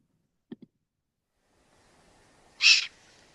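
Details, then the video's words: Young Eurasian eagle-owl calling: one harsh, hissing rasp lasting about a quarter second, preceded by two soft low knocks. "and then let's listen to some young owls calling. Great."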